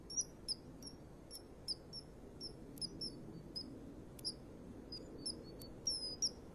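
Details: Common kingfisher female begging the male for a fish on a new perch, March 2015, early afternoon: rapid series of thin, shrill, high whistled notes, some doubled, given several times a second over a low background rumble.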